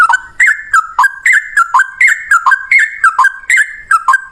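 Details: Yellow-vented bulbul singing loudly in ropel style, a long song in one breath. Paired bubbly notes, one higher and one dropping lower, repeat about every quarter second in a steady rocking rhythm throughout.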